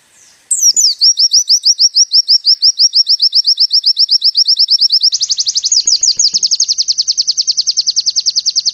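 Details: Oriental white-eye, called pleci, singing a masteran tembakan, meant to get white-eyes to open their beaks: after a short pause, a long string of high chirps steadily quickening, then shifting into a denser, rolling trill in the second half.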